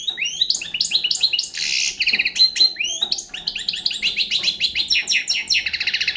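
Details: Young Balkan European goldfinch singing a continuous, fast jumble of high twittering notes, rattling trills and short buzzy passages, bright and varied throughout with no pauses.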